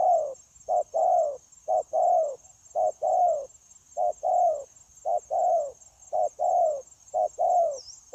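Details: Freshly caught wild spotted dove, kept for trapping and coaching decoy birds, cooing in an unbroken flowing manner on 9 January 2024. Mellow short notes each lead into a longer falling coo, steadily repeated, with a thin constant high tone behind.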